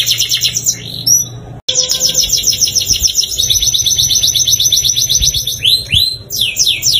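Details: Canary song played to get caged canaries singing: loud, continuous rolling trills and rapid repeated notes at high pitch, with a brief break and some upward-sweeping whistles near the end, low background hum throughout.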